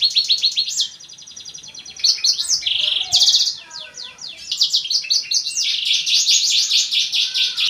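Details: Black-throated canary singing a dense, very high song of rapid chirp series, buzzy trills and a sustained fast rattle of repeated notes, loud and nearly continuous.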